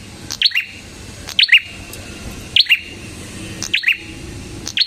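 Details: Red-headed prinia (prenjak kepala merah) giving spaced, shrill double chirps, the higher note dropping to a lower one, about once a second, in a clean recording meant to lure prinias.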